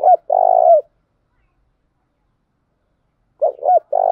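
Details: Spotted dove cooing, played to train decoy birds for trapping: a phrase's closing falling coo at the start, then after a long silence a short note, a hooked coo and the start of a rolling coo.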